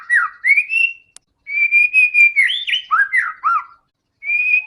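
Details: White-rumped shama song meant to lure other shamas into singing; clear whistles, a level held note, then looping up-and-down slurs, in two phrases split by a brief silence and a faint click.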